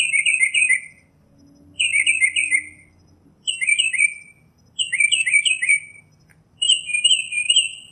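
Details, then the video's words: Northern mockingbird singing five bouts of chirpy, slightly buzzy three- to four-note phrases, each phrase repeated about every one and a half to two seconds, over a faint low hum. "Northern Mockingbird Song, Sound, Voice, Call, Melody - Sinsonte Canto - Mimus Polyglottos"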